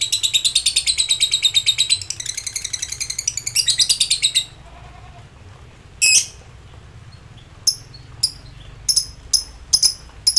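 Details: Excited lovebird calling out to rivals with its ngekek song. A rapid, shrill, rattling trill of closely repeated notes runs for over four seconds, broken by short gaps, then several isolated sharp chirps follow after a quiet spell.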